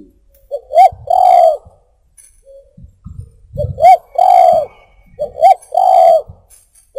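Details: Spotted dove, recorded for luring birds, giving deep mellow coos: two brief hooked notes then a sustained rounded coo, the phrase repeated three times with light handling thumps in the pauses.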